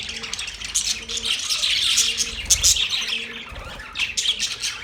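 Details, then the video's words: Budgerigar chirping: dense, bright chattering chirps and short squeaky notes, continuous with louder bursts, over a faint steady low hum. "Australian Parrot Bird Chirping sound"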